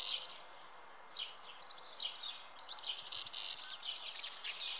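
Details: Common house martins at the nest: after a brief pause, high chirps and buzzy twitters resume in quick bursts, growing busier toward the end.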